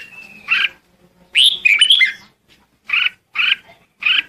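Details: Red-whiskered bulbul calling the flock: a thin drawn-out whistle, then short bright chirps and a warbled, slurred phrase, followed by three evenly spaced clipped notes.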